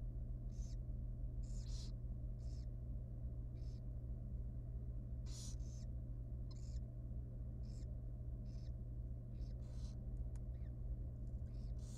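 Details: Very young wild barn owl nestling begging at feeding time in a nest box: repeated short, breathy hissing bursts, about forty a minute, irregularly spaced, over a steady low electrical hum.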